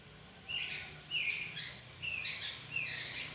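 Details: Magpie-robin giving short sharp notes, each a bright high chip followed by a fainter sweep, repeated about every 0.8 seconds, four in all, fairly soft against a low steady hum.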